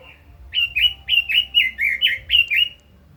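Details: Red-billed leiothrix, a kept cage bird, delivering a crisp series of eight loud whistled phrases, each a bright upward-then-downward slur, evenly spaced over about two seconds, with quiet hum underneath.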